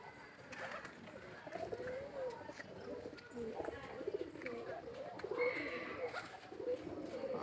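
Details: Pigeons in nest boxes, many with young, at Durgasagar near Barisal, Bangladesh, coo in low, rolling murmurs that overlap, with a man talking now and then.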